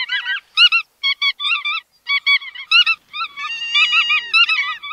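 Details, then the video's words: Bar-tailed godwit calls in short nasal bursts, paired and triple notes separated by brief silences, then a longer drawn-out run of overlapping harmonic calls near the end. "Tiếng Chim Choắt Đuôi Vằn"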